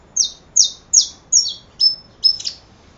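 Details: Saffron finch delivering six evenly spaced, bright, high downslurred chips roughly every half second, the later ones adding a thin, level whistled tone, against a clean, quiet background.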